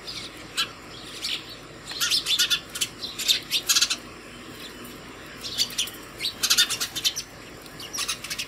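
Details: House sparrows at a hanging feeder at home in the morning, one calling the others to food: bursts of sharp chirps in clusters of several notes, separated by short quieter pauses.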